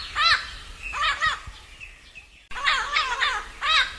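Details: A parrot at dusk gives harsh, nasal squawks in short bursts, some in quick pairs, with brief quieter chatter between them.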